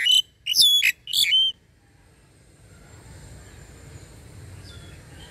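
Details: Captive myna, long kept and said to talk, calls its flock with three quick, loud, strident whistled notes packed into about a second and a half, followed by quiet indoor background noise.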